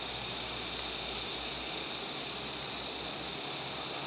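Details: Plumbeous euphonia at Tunnels, San Martín, giving thin, very high chips, mostly in short bursts including a quick run of four, over a steady insect hum.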